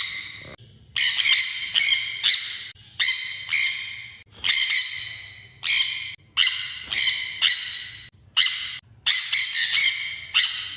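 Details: Sun conure (Aratinga solstitialis), squawk.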